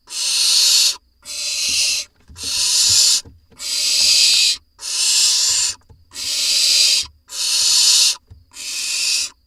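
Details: Barn owls in an Israeli nest box, 4 July 2021, as two voles arrive in quick succession: a steady run of eight rasping, snore-like hisses, each about a second long, repeated with brief even gaps.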